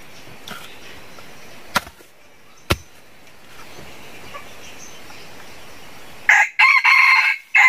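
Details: A wild chicken (red junglefowl) from a flock of over 100 bred from two birds. It crows loudly and raspily near the end in three choppy segments, after a quiet stretch with two sharp clicks.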